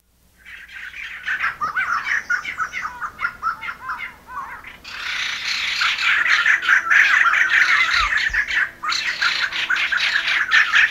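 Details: White-crested laughingthrushes in the Nainital Himalaya chatter and squawk in a loud, tumbling chorus, first scattered harsh notes, then a dense continuous babble, over a faint low hum; a barking deer reportedly turns alert at the call.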